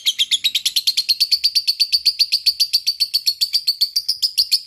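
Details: Lovebird, fighting mood, chattering in a long ngekek: rapid rhythmic raspy notes near four per second, steady pitch, sustained for the whole stretch.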